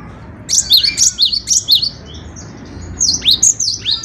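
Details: A singing gelatik batu, or cinereous tit: quick strings of sharp, high, whistled doublets, about six in a row, a brief lull, then another bright run of similar notes.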